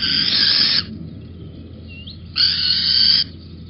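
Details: Little owl on a beam at Holten, 19 May 2020, late morning: two rasping, hissing screeches, each lasting under a second and separated by a pause of about a second and a half, with a faint short chirp between them.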